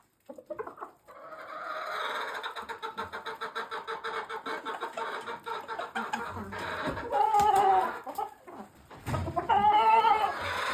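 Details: A brown red cock walks among barn hens that have gone weeks without a mature cock; steady, fast clucking runs throughout, capped by two loud, drawn-out cackles near the end.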